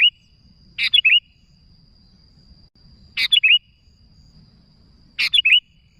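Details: Sooty-headed bulbul calling to others: short bright chirped phrases of three or four quick notes, repeated about every two seconds, with a faint steady high whine underneath.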